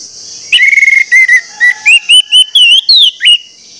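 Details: One continuous orange-headed thrush phrase used to spur other males to sing: a fast stutter of notes, then a chain of clear whistled slurs climbing gradually higher, with a high steady hum behind.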